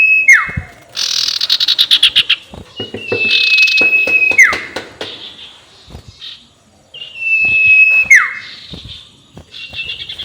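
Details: Sirtu ngekek call meant to provoke rivals: level whistled notes that fall away steeply at the end, alternating with hurried rattling chatter of a dozen or more short notes, repeated several times.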